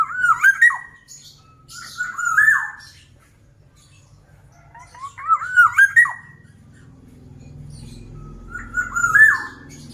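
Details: Four bubbly, warbling whistled phrases from a black-naped oriole in strong song, each a quick cluster of rising and falling notes. A low hum enters in the second half.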